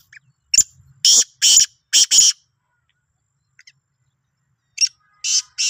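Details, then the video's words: Sindhi black francolin, 16 March 2023, gives a loud phrase of four harsh, rasping, broadband notes. A short pause follows, then the start of a second grating phrase. "Kala Teetar ki Awaz"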